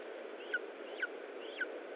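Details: Lesser spotted eagle at an Estonian nest during feeding on 20 July 2012 in mid-afternoon: three short, thin, falling yelps about half a second apart against constant hissing background noise.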